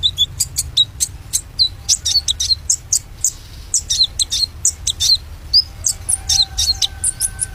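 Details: A kept white-rumped shama sings a lively string of sharp, high chirps and short upslurred whistles, delivered in quick irregular bursts over a steady faint background hum.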